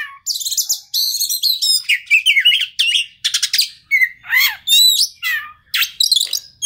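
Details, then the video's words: Oriental magpie-robin (kacer) lure song for a stressed bird; loud energetic sequence of varied whistled phrases, sweeping slurs and rattling chatter, delivered in quick bursts with brief gaps. "PANCINGAN TERAMPUH KACER STRES"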